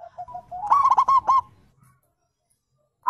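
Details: Wild zebra dove call, with local and Bangkok-type birds, played to lure other birds into answering; a few soft low coos, then a quick burst of five or six bright, clipped, rising cooing notes, then silence.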